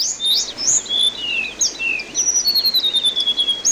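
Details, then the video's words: Anis binbin, orange-headed thrush, singing on a water-therapy training recording for cage songbirds: sweeping high whistles and rising and falling slurs, ending in a rapid run of repeated chirps, with constant rushing background noise. "masteran anis binbin terapi air"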